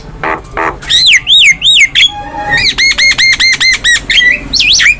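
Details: Master-recording song of an actively singing Javan myna for cage-bird training: two harsh buzzy bursts, then arched whistled notes, a thin drawn-out tone, and a steady run of about ten repeated looping whistles.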